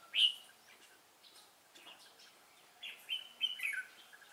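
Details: Red-whiskered bulbul of the 'Cánh ruồi' type, noted for a fine voice, during bird trapping on 3 March 2017; short bright chirped notes, a loud one at the start, then a cluster of warbled phrases near the end over light background hiss.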